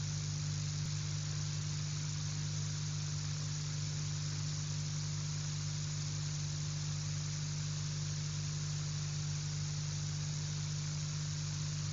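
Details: Steady low mechanical hum like an idling engine, with broadband hiss throughout and no animal voices.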